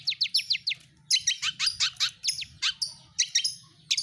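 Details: Lure song of a long-tailed shrike, played to make caged birds sing. A quick run of short sharp notes gives way to louder, harsh, buzzy notes repeated in short bursts with brief gaps.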